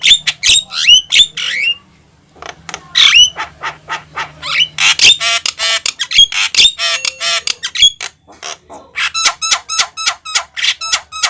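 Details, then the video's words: Javan myna in full loud song, a fast varied series of harsh squawks, rattles and sharp whistled notes, with a brief pause near two seconds and a rapid clicking rattle toward the end; a low hum underneath. "JALAK KEBO YANG GACOR||BIKIN BURUNG LAIN IKUT BUNYI!!"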